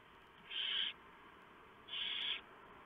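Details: Barn owl nest before dawn, early November 2015, during a prey delivery by the male with the owlets being fed a large mouse. Two loud, breathy screeching hisses, each under half a second, over a faint constant hiss.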